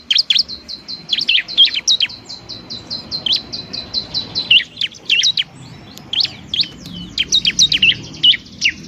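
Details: Busy bar-winged prinia song meant to encourage lazy singers: a continuous string of thin, evenly spaced high ticks overlaid with sharper dropping chirps and trills, quite dense throughout.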